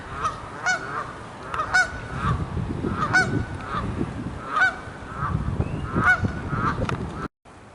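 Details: Canada-type geese? No: Geese on the second pond at Succop Nature Park, Penn Township, Butler County, Pennsylvania, on a cold 1 April 2022 with snow showers, trade loud nasal honks every second or two, "having a conversation", over steady low wind rumble.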